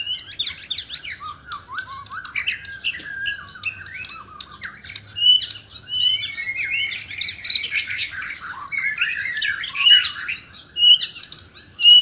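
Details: White-rumped shama from Sabah, Borneo, singing hard in a contest while seeking a mate: dense rapid chirps and whistles, some clear ringing high notes and sweeping slurs, phrases recurring about once a second.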